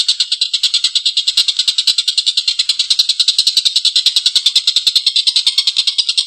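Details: Energetic Collared kingfisher giving a long, harsh laughing call, a rapid rattle of gritty notes at an even pace of roughly three per second, unbroken for six seconds.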